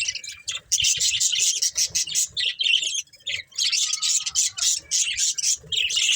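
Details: Choppy bouts of high, buzzy chirping from a budgerigar breeding pair, short chattering bursts separated by brief silences.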